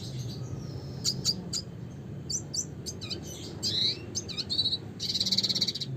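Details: Red siskin in lively song, mixing sharp chirps, slurred whistles and twittering phrases, ending in a dense buzzy trill of rapidly repeated notes, with low hum beneath.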